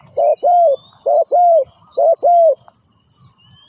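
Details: Spotted dove close by, cooing three times in quick succession. Each phrase is a short note, then a longer, level-to-falling coo. A thin high trill sounds in the background.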